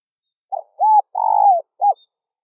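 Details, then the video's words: Spotted dove calling to attract wild doves: one clean phrase of a brief note, an arched coo, a long drawn coo that dips at its end, and a short closing note. "SUARA MEMANGGIL TEKUKUR LIAR"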